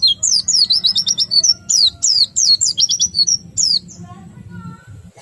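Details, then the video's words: Oriental white-eye song in the ngriwik, ngerol and nembak styles, used to stir other white-eyes into singing: high, fast chirps and rolling zigzag trills in close bursts for about four seconds, then a few softer notes and a low background hum. "PLECI meriwik ngerol sambung nembak, sangat ampuh merangsang pleci ikut bunyi"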